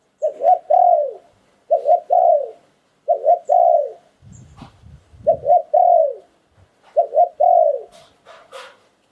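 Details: Spotted dove giving lu'tan and karam style song, a Thai singing style, repeating the same three-note phrase five times about every one and a half seconds, two quick coos then a longer falling one, with a brief low rustle midway.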